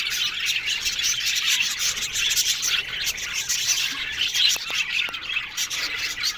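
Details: Colony of budgerigars kept in an aviary, a steady mass of soft warbling and twittering from many birds, with a few faint clicks near the end.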